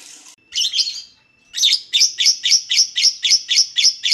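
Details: Lovebird singing, used as a lure to prompt other lovebirds to sing: a short burst of chatter, a pause, then harsh high chirps repeated about four times a second.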